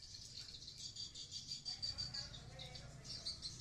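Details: Swiftlets in a building in Blokagung, Banyuwangi, East Java, formerly home to sriti and now becoming productive; sharp, high twittering chirps come in irregular bursts over a low rumbling background.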